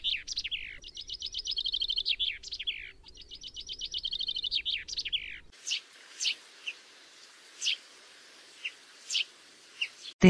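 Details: A common chaffinch delivers three quick song phrases, each a rattling series of high notes ending in a swooping flourish. Then separate short, sharp chirps follow at irregular spacing against quieter background hiss.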